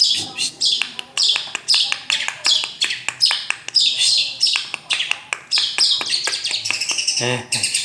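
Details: Long-tailed shrike song made of harsh, scratchy high phrases, each starting with a sharp click, repeated in quick succession with a brief lower note near the end.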